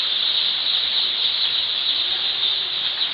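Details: Chicks fresh from hatching, day one on a poultry farm: an unbroken, piercing blur of high-pitched cheeping from a large crowd of birds, with no gaps.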